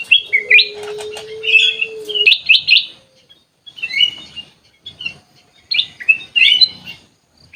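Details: Sooty-headed bulbul in an aviary giving loud, clear whistled bursts with sharp pitch slides, grouped in phrases with brief gaps, a low steady tone sounding during the first two seconds.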